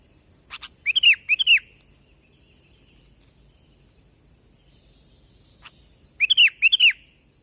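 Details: Sooty-headed bulbul song played as a lure for trapping: two short bursts, each made of a pair of bright, arched, bubbly notes. The bursts come about five seconds apart, with quiet between them.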